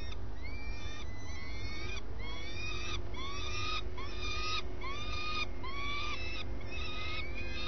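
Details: Swifts at the nest at first light, adults swapping places and flying together: shrill, arching calls in quick series, one roughly every half second, over a steady low rumble.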